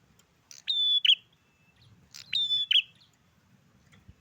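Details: Bar-winged prinia singing in a garden: two phrases about 1.7 seconds apart, each a sharp click, a long flat whistled note, then a harsh buzzy burst, with a soft low rumble beneath.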